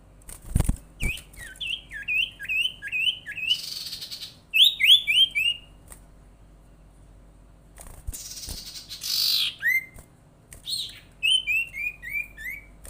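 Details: Sirtu lure call meant to prompt other sirtu or cipow birds to call readily; bursts of rapid repeated chirps slurring downward, harsh rasping squawks, and a couple of sharp clicks, with pauses between phrases.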